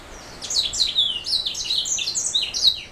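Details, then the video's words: Black throat mule, a canary hybrid, singing a fast run of high twittering notes and slurred whistles, each sliding downward, packed closely together across the whole stretch without pause. "Black throat mule"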